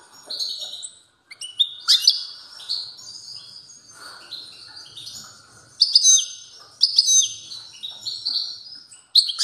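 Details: European goldfinch in strong song: long, lively sequence of high twittering phrases, tinkling trills and clipped chirps, broken by a brief pause, with several loud, dense bursts.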